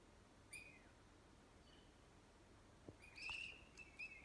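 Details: A Northern flicker at a fen in Yosemite gives a short, sharp, slightly descending note, then a longer, harsher, ringing call about three seconds later, over faint background hiss.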